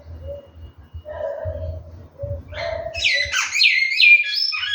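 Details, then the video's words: Large-billed seed finch kept in captivity, singing: a low steady hum and faint tones fill the first seconds, then loud whistled notes with rapid slurred phrases rise and fall for the last two seconds. "bicudo cantando"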